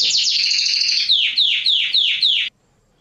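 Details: Male canary singing to stimulate females for mating, a training recording: rapid rolled trill, then a series of about six loud downward-sweeping whistled notes repeated roughly every quarter second, ending abruptly.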